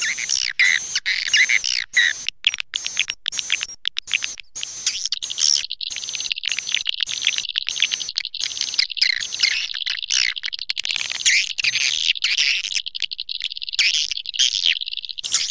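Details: Swiftlet lure call meant to attract the birds: dense, high twittering chirps packed into rapid bursts, broken by brief gaps, running almost continuously throughout.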